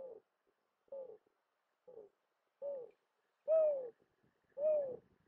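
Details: Mourning dove call, clear and close: a series of six low, owl-like coos, each a soft downward-bending note, growing louder toward the end, spaced about one second apart in otherwise quiet surroundings.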